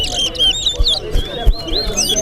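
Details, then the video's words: Large-billed seed-finch (towa towa) at a bird singing competition in Corriverton: fast whistled notes and slurred rising and falling phrases, partly faint, under men's voices counting the songs aloud. "CORRIVERTON TOWA TOWA BIRD SINGING COMPETITION"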